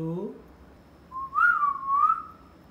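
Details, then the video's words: Pet parrot: a brief low voiced syllable like speech, a short pause, then a smooth wavering whistle with two rising swells lasting over a second. "Miya Mitthu Ki baten Suno"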